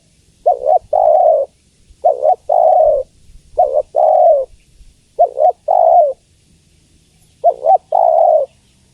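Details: Spotted dove hen calling the male: five regularly spaced coo phrases, a stuttered two-part opening then a hoarse, drawn, slightly falling coo, with a longer pause before the last.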